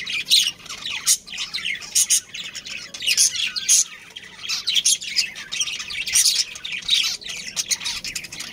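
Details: Budgerigar colony around a breeding pair, heard as lively overlapping chatter of grating squawks, clicks and high chirps, bursts coming every second or so with steady background twittering.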